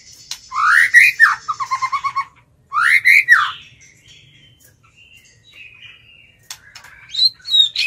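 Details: Decoy White-rumped shama singing to lure wild birds into a contest. Two bright, rising, slurred whistles separated by a short run of quick repeated notes, followed by softer thin warbles and a high final whistle.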